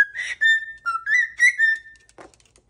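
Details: Pet cockatoo indoors whistling a happy little tune, a string of clear whistled notes wavering and rising slightly, with a short scratchy sound near the end.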